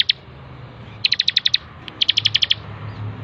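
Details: Bar-winged prinia (ciblek) from a master recording meant for training birds: one isolated sharp note, then two brisk runs of about seven bright, ticking high notes each.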